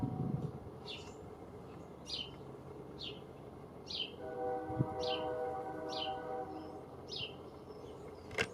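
Common starling giving high, thin, down-slurred chirps about every two-thirds of a second, over a low rumble and a steady engine-like hum.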